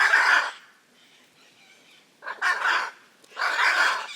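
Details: Raucous Hyacinth macaw cries: three loud, coarse, drawn-out screeches about a second apart, with a low murmur of background noise in the gaps.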